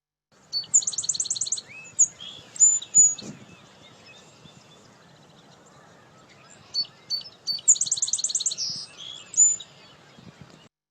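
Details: A Song Sparrow in a yard sings twice. Each song opens with a rapid buzzy trill of repeated notes, followed by varied chips, whistles and a closing jumble, over faint background hiss.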